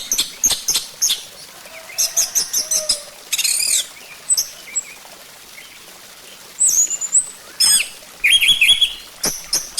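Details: Orange-headed thrush song used as a lure to prompt singing: rapid high chips, buzzy trills and clear whistled slurs in irregular bursts, with short quiet gaps between phrases.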